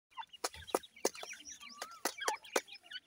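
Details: Female grey francolin feeding her chicks in the breeding season: sharp, dry clicking notes about every quarter to half second, mixed with soft short chirps and a thin rising-and-falling whistle from the young birds.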